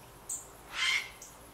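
A Grey Heron gives a single short, harsh, rasping squawk lasting about a third of a second. Two faint high ticks come before and after it.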